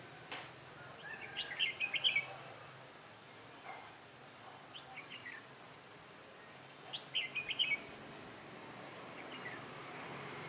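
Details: On a trapping day, cold and windy on 16 December 2017, a red-whiskered bulbul serving as decoy sings two clear bursts of quick, bubbly whistles several seconds apart, with scattered softer chirps between.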